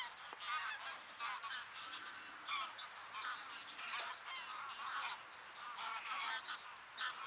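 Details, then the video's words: A flock of geese fleeing in flight over a field with cranes between Bresewitz and Pruchten near Zingst, Germany, calling in overlapping nasal honks and yelps from many birds in a steady, continuous chorus. "Geese in flight"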